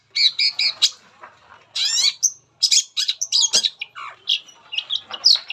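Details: Long-tailed shrike singing as a lure to get other shrikes calling: quick doubled and tripled harsh notes, a raspy buzzing burst, then a rambling jumble of squawky and whistled phrases.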